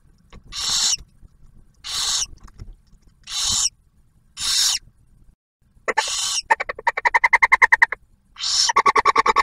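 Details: Barn owls at a nest camera near Oak Harbor, Ohio, in Ottawa National Wildlife Refuge, as the male delivers food and the female shares a meal with the first owlet to hatch: harsh breathy hisses, then rapid clicking chitter bursts repeated quickly.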